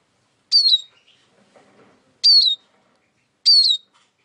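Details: Eurasian siskin uttering three sharp, high whistled notes that slide downward, the last two about a second apart, over otherwise quiet background.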